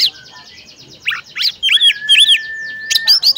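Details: Female oriental magpie-robin calling to a male to prompt him to sing: a rapid train of high chirps, then loud swooping whistled notes and sharp chips over a long steady mid-pitched whistle, all clear and close.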